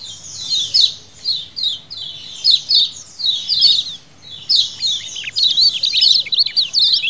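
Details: Lemon-bellied white-eyes calling together as a colony, wild-style lure: high chirp bursts with brief pauses, building into a continuous excited twittering chatter toward the end.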